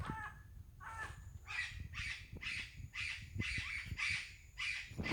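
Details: Parrot calls in the wild: two short nasal notes, then a steady series of about eight coarse, raspy squawks roughly every half second, with low rumbling and a loud thump at the close.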